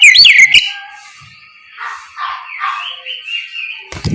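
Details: White-rumped shama singing in the morning in the plain ngeplong style, used to prompt other shamas to answer; a loud, sharply whistled swooping phrase opens, followed by softer, distant warbled notes and a short clattering noise at the end.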